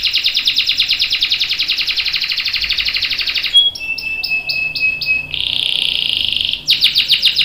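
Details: Canary long roll used to prompt other canaries to sing: an extended fast buzzy trill, a clear whistled note with soft clipped tones above, a dense rolling buzz, then quick sharp notes.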